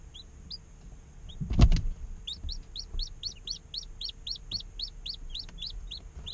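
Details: Day-old domestic chicks chirping in real time; after a few isolated peeps and a brief low thump, a rapid run of clear, high, down-curving peeps repeats steadily about three per second over a constant faint hum.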